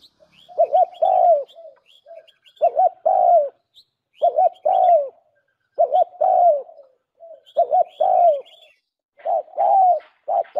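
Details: Spotted dove cooing for use as a lure. Deep, soft phrases repeat roughly every one and a half seconds, each a double coo then a falling drawn note, over faint high bird chirps.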